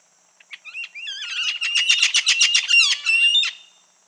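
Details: Hawk-headed or red-fan parrot giving harsh calls: sparse opening notes, then a dense burst of grating, nasal squawks delivered in quick succession for over two seconds, some sliding downward, before cutting off into silence.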